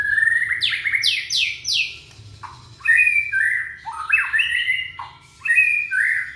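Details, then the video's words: Young white-rumped shama from Indonesia, intended to trigger song in other shamas: rapid sweeping notes climbing high, then varied short whistled phrases rising and dropping, several bursts with brief gaps. "Murai batu muda tunjukan pesona,cocok buat pancingan murai macet bunyi"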